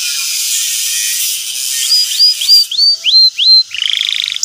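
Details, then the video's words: Canary lure song for a young learning canary: a series of rising upslurred whistles repeated about three per second, ending in a quick buzzy trill, over a steady high hiss. "pancingan burung kenari gacor cuit cuit emosi,kenari paud belajar bunyi ngeriwik"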